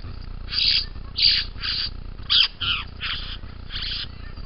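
A young bowerbird gives about seven harsh, rasping bursts over four seconds, some with a wheezy upper edge, over a steady low hum.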